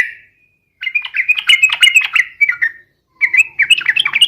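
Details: Yellow-vented bulbul singing as a lure to get other birds to answer: two rich, gurgling phrases of quick liquid notes separated by a short silence.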